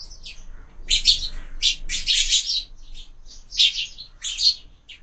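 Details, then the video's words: Several sparrows at a window feeder during breakfast, fed year-round; bursts of harsh, bright chirping come in clustered groups with brief quieter gaps between them. "Воробьи в кормушке - Завтрак"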